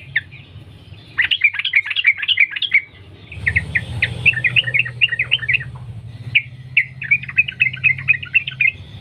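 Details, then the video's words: Yellow-vented bulbul in the wild in long unbroken rapid song, used as a lure: bright chirpy runs in several bursts with brief gaps, over a steady low rumble. "Trucukan gacor Sambung ropel nguplik alam liar | pancingan trucukan agar bunyi gacor"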